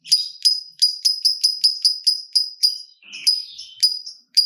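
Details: Long lovebird chatter used to draw song from other lovebirds: a steady string of clipped high chirps, about three to four per second, with a short break midway.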